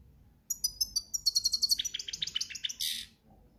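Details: European goldfinch song, campero style, in breeding season: a brief phrase of rapid clipped tinkling notes in a steady series, ending in a short harsh buzz.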